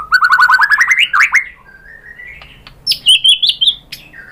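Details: White-rumped shama song used as a singing lure: a fast rising trill of whistled notes, a soft drawn-out whistle, then a few bright high notes.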